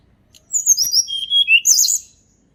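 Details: Natural song of a blood-breasted flowerpecker, used to coax birds that rarely sing: a falling series of high, thin whistled notes, then a burst of very high, trilled twittering at the end.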